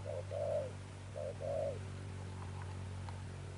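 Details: Sấm Thổ coo of a newly caught spotted dove: two pairs of soft mid-pitched notes, each a brief coo then a longer one, over a steady low mechanical hum that continues after the bird stops.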